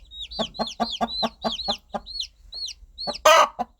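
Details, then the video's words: Rapid soft clucking of a mother hen calling her chicks, about five clucks per second, mixed with high sliding peeps of the chicks, closing with a sudden loud rasping cluck. "Sound of Mother Hen Calling Her Baby Chicks"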